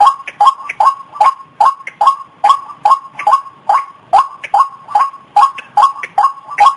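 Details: White-breasted waterhen calling as a trapping lure, rhythmic series of rough, nasal notes in quick regular succession, each with a sharp attack and short fade.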